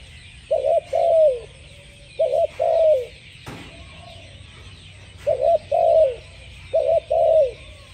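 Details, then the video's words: Spotted dove singing: low mellow cooing phrases, each a quick double note followed by a longer falling coo, repeated four times about every one and a half seconds, with a faint steady hiss behind. "spotted dove singing"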